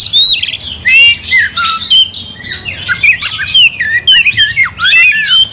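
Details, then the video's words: Agitated oriental magpie-robin pouring out song to provoke a rival: quick bursts of sweet slurred whistles and harsh scratchy notes, delivered in tight clusters with brief gaps. "Kacer gacor bikin kacer ngamuk"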